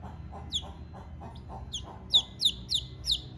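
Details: Hungry chicken chick calling for its mother: a run of thin, high peeps, each sliding sharply downward, faint at first and then louder, spaced about every third of a second, over a low background rumble.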